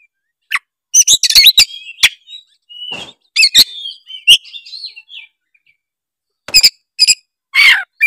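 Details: Oriental magpie-robin (kacer) singing in full 'gacor' style, used as a lure to set other magpie-robins singing: sharp high whistles and rasping bursts in clusters, a pause of about a second, then more harsh notes near the end.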